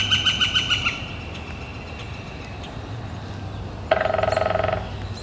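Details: Northern flicker on a warm, clear spring day in late April: a quick burst of about six repeated ringing call notes, a pause, then a rapid drum roll of roughly twenty strokes lasting under a second, over a low steady background hum.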